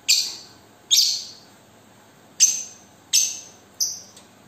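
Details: Lure call of a young lovebird kept as a single fighter: five separate harsh, shrill chirps, each dropping away quickly, spaced roughly a second apart, with a quiet background.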